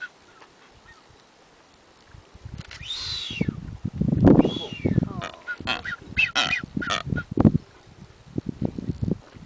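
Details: Blue-footed boobies on Isla de la Plata, calling while dancing: a couple of drawn-out, arching whistles with bright overtones, then several shorter whistled notes, over low grunting honks and dull thumping and rustling noises.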